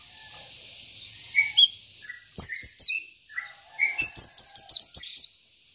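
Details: A local Oriental white-eye sings the 'isian' way to stir up rivals. Soft lower whistles lead into two brisk series of sharp, high, downward-sliding chips.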